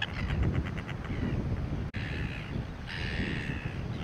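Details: Greater crested terns sitting on nests at a breeding rookery on Penguin Island, Western Australia, calling as Silver Gulls hover or wait nearby: a quick run of harsh, rasping notes, then two longer grating calls, over heavy wind rumble.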